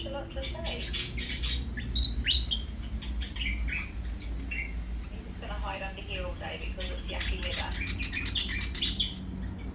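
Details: Australian willie wagtail calling: a busy run of sharp, bright chirps and short twittering notes, some quick and stuttered, over a steady low rumble like wind noise.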